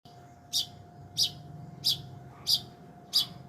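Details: Long-tailed shrike giving short, sharp, high chirps repeated about every two-thirds of a second, five evenly spaced notes over a steady low electrical hum.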